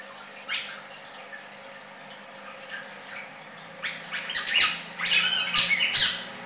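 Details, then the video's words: Red-crested cardinal singing: a few scattered faint chirps at first, then a burst of loud, harsh, squeaky notes and raspy chatter in the last two and a half seconds, over a steady low hum. "cardenal cantando copete rojo"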